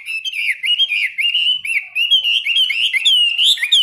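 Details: In a daily morning training session of 15 minutes, a caged Chinese hwamei, an experienced bird, pours out loud, clear whistled warbling. Smooth rises and dips run into ringing higher notes near the finish.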